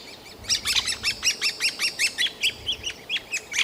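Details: Great spotted woodpecker young clamouring for food inside their nest cavity while being fed, in a city forest park in Yekaterinburg, June 2018; fast, harsh, overlapping chirps, about two and a half per second, with hooked, down-curving notes.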